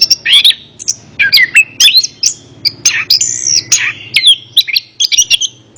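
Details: Orange-headed thrush, played as therapy for a bird that will not sing, pouring out loud, varied whistled phrases, buzzy notes and sharp chips in a rapid, unbroken series.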